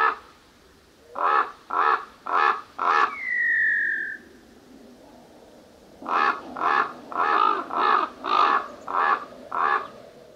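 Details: Common raven cawing: four harsh, hoarse caws in quick succession, a smooth sliding whistle-like tone, then a pause followed by seven more rough caws delivered at a steady rhythm.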